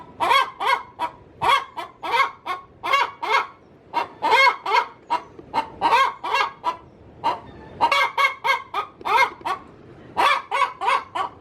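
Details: Domestic hen calling inside her coop as she is about to lay, giving loud, rasping clucks in irregular bursts of two to five notes separated by short gaps.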